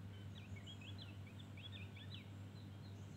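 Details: Javan grey-throated white-eye in 'ngeriwik' style, fully filled song: a rapid run of sharp, high, down-slurred chirps strung closely together, with a constant low electrical-sounding hum behind.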